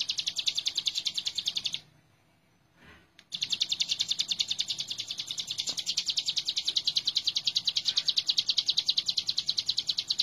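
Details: Energetic hill prinia song used as a training recording for cage birds: a long series of rapid, high, evenly spaced chirps that stops briefly for over a second, then resumes just as steadily.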